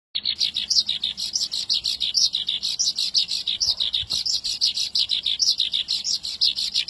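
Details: Horsfield's bush lark singing a long trilling song: rapid, evenly repeated high chirpy notes, about three per second, with bright overtones, running continuously without pause.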